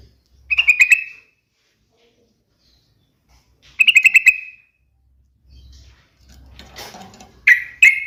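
A sooty-headed bulbul gives short, bubbly, fluty phrases, one roughly every three to four seconds, with soft rustling noise between them.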